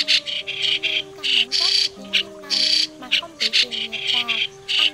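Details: Migratory white-cheeked starling song prepared as a lure for trapping birds: harsh, squawky chattering bursts in quick irregular runs with short gaps, over a steady low tonal drone of music.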